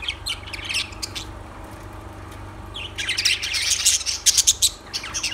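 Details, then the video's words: Lovebirds giving scattered sharp chirps, then a quiet stretch, then a burst of dense, loud, rapid squeaky chatter from several birds, over a constant low hum. "Lovebirds Sounds Birds Singing"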